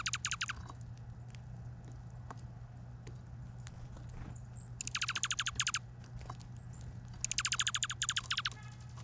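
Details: Chirping chickadees visiting a feeder on Vancouver Island: three separate bursts of fast, rattled notes, each note dropping sharply in pitch, with quiet gaps of soft tapping between them and a constant low hum.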